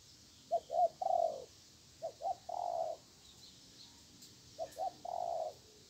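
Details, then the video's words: Spotted dove, a fierce wild bird, calling against a weak decoy while being trapped: three repeated phrases of two clipped coos and a longer low crooning note, roughly every two seconds. "Bẫy chim cu gáy. Mồi yếu gặp bổi hung giữ. Con bổi âm tốt có kèm."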